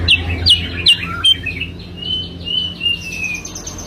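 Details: Sooty-headed bulbul lure song: three sharp down-slurred chirps, then a drawn-out series of softer, level whistled notes fading off, over a faint low hum.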